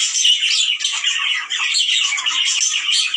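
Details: Breeding-stimulation call of budgerigars: a flock's rapid, chattering warble packed with twittering chirps and scratchy notes, continuous and fairly even in volume over three seconds.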